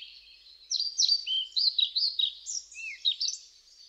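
A European pied flycatcher sings a quick, high phrase of sweet, bouncing whistled notes.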